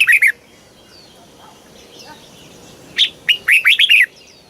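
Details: Red-whiskered bulbul in Thailand giving a southern master style song, used to excite birds and teach young ones. A short chirpy phrase opens, then after a pause a rising, bubbling run of five quick whistled notes.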